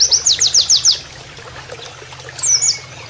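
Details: Pleci, or Oriental white-eye, in canary-imitating 'nembak' style meant for training birds: six quick high downslurred notes in a row, a gap, then a short thin twisting phrase, with faint water noise.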